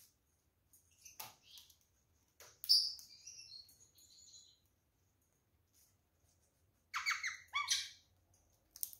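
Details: Rose-ringed parakeet pair kept in a cage, feeding on apple and orange pieces; a sharp scratchy call, then two loud falling screeches later, separated by pecking clicks and silence.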